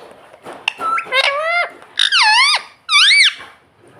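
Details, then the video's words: A pet ringneck parrot talking indoors, mimicking "mummy" and "papa" in a few quick, squeaky syllables with swooping, rising-and-falling pitch. "parrot talking mummy papa"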